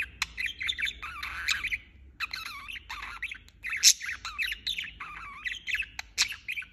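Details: Budgerigar chirping continuously, a rolling warble of looping whistled notes and scratchy chirps with a brief lull and scattered shrill squawks.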